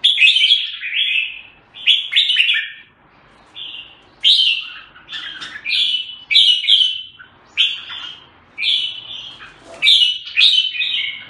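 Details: Red-whiskered bulbul delivering a steady series of loud, clear warbled phrases, each about half a second to a second long, separated by brief gaps and repeated through the passage over quiet surroundings.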